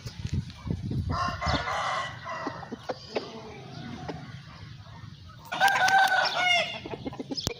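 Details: Crowing from Aseel roosters: a rough crow early on, then a louder, clearer crow near the end lasting just over a second, with background noise and a sharp click.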